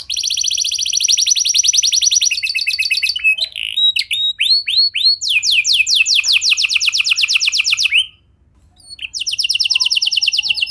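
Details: Canary song used to coax other canaries into singing: a long rapid buzzy trill, a few falling whistled notes, another fast rolling trill, a short silence, then the trill resumes.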